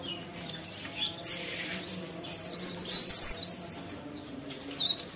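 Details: Actively singing leaf warbler (pare pare): quick, high, squeaky twitters and short trills that rise and fall. The phrases grow denser after three seconds, over a soft steady background hum.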